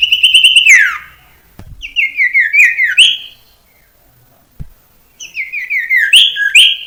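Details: Singing common iora (sirtu cipoh) used as a training lure for young birds: a descending slur, then stepped phrases of whistled notes dropping in pitch, separated by silence and a couple of soft clicks.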